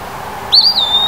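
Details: An Eastern wood-pewee in summer gives a high, pure whistle that rises, twists and then stretches into a long, even note, cut off at the end; quiet hiss beneath.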